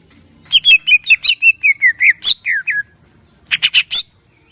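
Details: Greater green leafbird singing in the morning as a provocation lure for other birds, featuring coarse 'shot' notes. A quick run of about a dozen clear whistled chirps dropping in pitch, then a pause and three harsh buzzy bursts.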